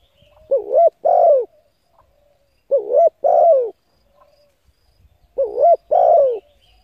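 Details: Cooing from a spotted dove, meant to lure decoy birds. Three evenly spaced phrases come about two and a half seconds apart, each a quick wavering note and then a mellow descending coo, with faint soft clicks between.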